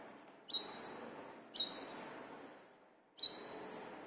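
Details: Three high, slurred notes about a second or more apart from a brown-throated sunbird, recorded as a lure to train caged birds, over soft background noise.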